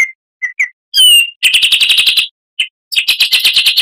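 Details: Oriental magpie-robin (kacer) tutor song for training cage birds: a few short whistled notes and a sharp high slurred whistle, followed by dense buzzy rattles of rapidly repeated notes.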